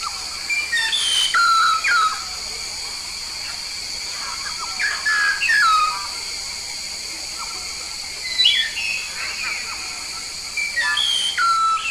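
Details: Yellow-faced myna, originally from Papua, sings loud whistled phrases with downward slurs and scratchy notes in bursts separated by quiet spells of several seconds, over persistent high-pitched background hiss.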